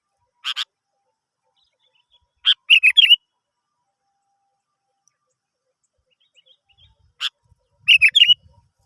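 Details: Lure song of the sooty-headed bulbul, meant to get other birds singing: sharp clicky notes followed twice by a brief rollicking phrase of three or four liquid, warbling notes, with long quiet gaps between.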